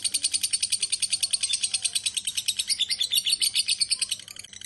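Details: Rapid shrill ngekek chatter of a lovebird, a continuous rattling string of high, grating notes that fades slightly at the close, with a faint low hum underneath.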